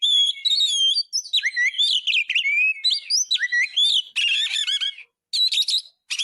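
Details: Oriental magpie-robin (kacer) in 'gacor' tutor song: clear, looping whistles and downward slurs, then harsh buzzy bursts and short separate scratchy phrases.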